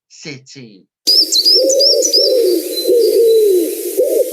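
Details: Common wood pigeon singing in a British garden in February: deep, hollow, soft coos in a rhythmic five-syllable phrase, with thin high chirps from another bird and a brief human voice at the start.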